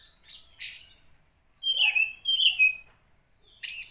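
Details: Oriental magpie-robin provocation song: a harsh burst, then two sweet whistled phrases sliding downward, ending with another scratchy noise burst.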